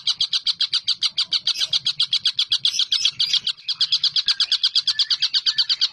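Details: Collared kingfisher calling persistently in a long session: a rapid, even series of harsh, clipped 'kek' notes, about six or seven a second, pouring out without a break for the whole stretch.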